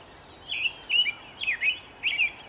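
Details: An American robin sings in the early morning sun on 11 May 2013: four short, warbled caroling phrases about half a second apart, clear and mid-high, over faint hiss.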